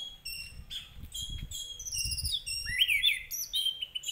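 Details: Orange-headed thrush song played to provoke a bird into singing: a varied run of clear whistles, high thin notes and short twittering phrases, with one louder rising slurred phrase near the end.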